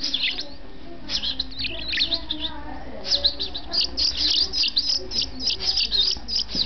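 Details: European goldfinch nestling from a breeding setup, hatched 27 May 2008, begging while fed: shrill, fast chirping runs of sharp twittering notes, growing denser and more continuous toward the end, with a faint voice in the background.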